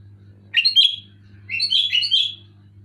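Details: Sooty-headed bulbul singing loudly: a short gurgling phrase followed by a longer, rambling, bubbly warble, with a low continuous hum in the background.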